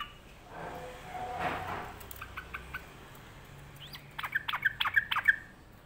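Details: Sulking sooty-headed bulbul: after a few seconds of low background noise and scattered faint notes, a loud run of quick, harsh chattering notes closes the recording.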